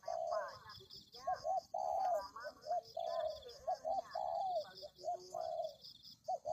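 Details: Lure recording of a spotted dove cooing steadily: soft hollow notes, a long coo followed by clipped double notes, repeated about every second and a half over faint high-pitched hum.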